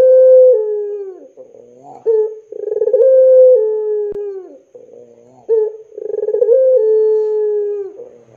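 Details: Drawn-out cooing of a lively puter pelung dove, played to prompt young doves to sing: repeated phrases of a throaty trill flowing into a long, gently falling, level tone.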